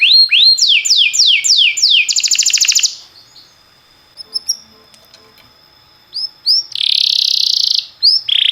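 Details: Canary singing timbrado-style song to train other canaries: rising and falling whistled sweeps, a short rapid trill, a quiet gap with faint chirps, then a loud buzzy rolling phrase.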